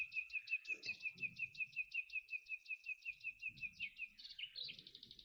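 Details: Two male common nightingales counter singing, one starting and the other joining with a matching song type: a fast, even series of high clicking chirps, about three per second, ending in a burst of buzzy notes.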